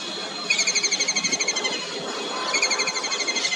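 A kingfisher gives two shrill, rattling chatters, each about a second long, of rapid high notes around a dozen per second, over faint background hum.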